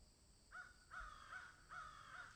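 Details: Crows calling in a garden shared with magpies: three harsh, hoarse caws in quick succession, the second and third drawn out with a slight rise and fall.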